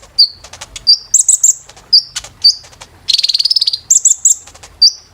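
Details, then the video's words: High-pitched song of a brown-throated sunbird (kolibri ninja), used to train caged birds: short downslurred whistles, clusters of piercing high chips and one rapid buzzy trill near the middle. "KOLIBRI NINJA TERAPI GACOR"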